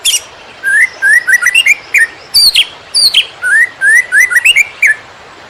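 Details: Greater green leafbird song meant for teaching other birds: varied short rising whistles and chattering phrases in two similar bursts, with high buzzy notes above.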